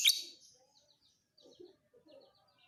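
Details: Fighter lovebird used as a tutor for training other cage birds: one short harsh high screech at the start, fading into quiet, scattered twittering and soft chirps.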